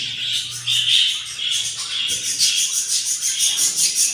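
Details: Yellow budgerigar nest on day 7, four hatched chicks very hungry: continuous shrill, buzzy cheeping with fast pulsing bursts growing denser in the second half.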